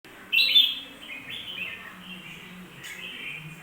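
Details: Bulbul singing: one loud, bright, warbled phrase near the start, then softer slurred whistles drifting downward, over a faint low steady hum.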